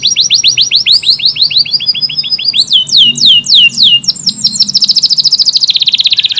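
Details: Kenari AF canary in energetic gacor song with long tight bursts: a run of quick rising high whistles, then falling slurred notes, ending in a dense rapid buzzy trill. Meant as song material for Murai and Kacer.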